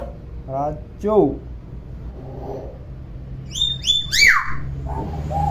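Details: Tame, clever common hill myna imitating many sounds in a clear voice: short speech-like syllables with stacked harmonics, then a run of sharp falling whistles, ending in low nasal phrases, with faint room hum.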